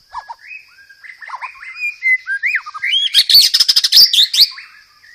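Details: White-rumped shama song with fighting-sparrow mimicry and rolled phrases, used as a lure: wavering whistled slurs build into a fast rattling burst of sharp, high, clipped notes.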